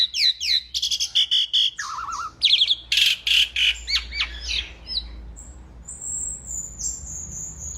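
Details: Asian pied starling in full, vigorous song for training other birds: quick chattering notes, buzzy rasps and descending whistles over the first five seconds. Singing then drops to faint, long high whistles.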